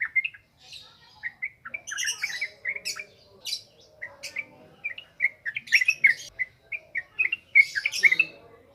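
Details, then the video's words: Ngropel ngalas style yellow-vented bulbul song, meant as a lure for training birds: bursts of rapid bubbly whistles broken by brief pauses, with sharper squeaky notes mixed in. "SUARA BURUNG TRUCUKAN NGROPEL NGALAS"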